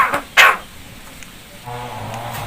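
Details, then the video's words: Starling mimicking coughing: a faint short rasp followed by one louder harsh, breathy cough-like burst, then quiet with low background hum. "BURUNG JALAK BISA NGOMONG "UCAP SALAM DAN BATUK""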